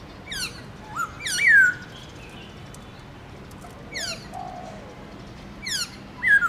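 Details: Black-throated laughingthrush singing in the morning in 'forest voice' style: widely spaced bursts of sharp high notes and short downslurred whistles separated by quiet pauses.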